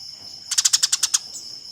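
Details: Eurasian tree sparrow in a fight, used for training competition birds: a single short rattle of eight quick harsh chirps lasting under a second, with a faint steady high tone behind.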